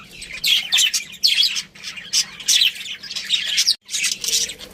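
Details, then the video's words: Budgerigar breeding pair and family calling in bursts of bright, scratchy chirps and warbles, with loud clusters separated by short quiet breaks and one clear silence just before the end. "Cute Budgies Chirping Sounds"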